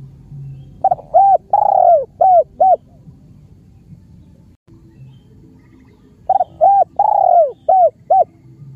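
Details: Spotted dove from Cambodia giving two cooing phrases about five seconds apart, each a run of short hollow coos with one longer, louder drawn-out coo in the middle, pitched low to middle; faint low background hum between phrases.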